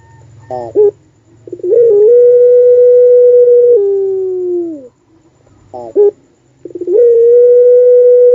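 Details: Collared dove of the puter pelung type repeating its long song: stuttered introductory notes lead into a drawn-out steady tone that falls and slides downward, and the phrase begins again, with a low background rumble.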